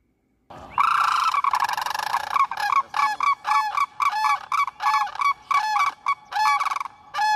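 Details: Sandhill crane in Florida giving loud, rolling, rattling bugles, a long trill first, then rapid bursts about every half second.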